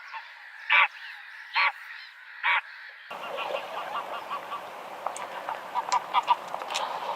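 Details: Goose honks of the greylag: three short, loud nasal honks about a second apart, then a busier, noisy stretch with fainter calls and clicks.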